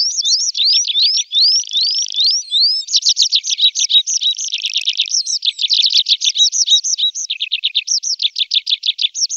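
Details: A tree pipit in summer delivers a long, varied song: fast trills of high notes, a buzzy rattled section, then more rapid chips and slurred phrases strung together without pause, the bird loud and close.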